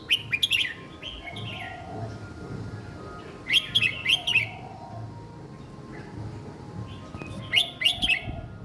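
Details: Young red-whiskered bulbul kept caged, singing a simple song style suited for young birds to copy: three phrases of rapid, bright whistled notes spaced about three to four seconds apart, with faint low noise.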